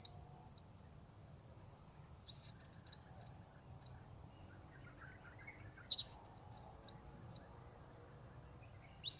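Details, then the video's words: Blue-crowned hanging parrot recorded while wild birds are being lured: short, shrill, very high-pitched notes in two loose bursts of about six, with silent gaps between, over a low background hum. "Memikat Serindit"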